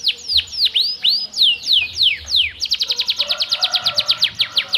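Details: Canary in vigorous song, meant to stimulate silent canaries; slow deep swooping whistles followed by a rapid, evenly spaced high trill.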